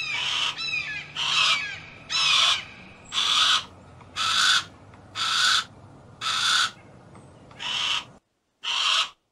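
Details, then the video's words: Harris's hawk uttering a series of nine grating, hoarse screams at a steady pace of about one per second, over a low background hiss, with a few faint thin chirps mixed into the first calls. "Harris Hawk Noises"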